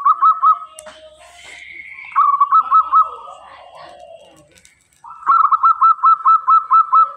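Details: Lively local zebra dove singing very clearly: three bursts of rapid rolling coos, each a chain of quick hooked notes, separated by softer murmuring sounds and a faint higher wavering tone.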